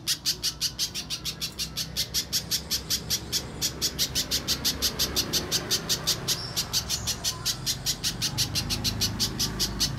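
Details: Rapid, high chipping of a little spiderhunter, used as a lure to make untrained birds sing. The notes run continuously, nearly three per second, over a low background hum.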